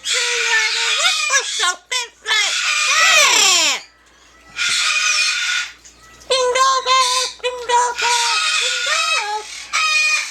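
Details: Yellow-naped amazon at home, singing and talking: strongly tonal, voice-like phrases, a long downward-sweeping screech, then more rapid repeated word-like syllables after a pause.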